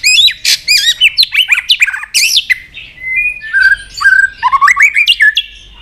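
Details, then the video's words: Excited White-rumped shama, a kept bird stimulated to sing, pours out quick swooping whistles and sharp chirps in tight bursts, then lower slurred phrases and a steady whistled tone before more rising notes. "chòe lửa đập tạch cực sung"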